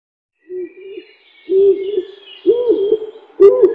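A dove gives soft, low, hollow coos in short rolling phrases about once a second, with faint high thin whistles from other birds behind.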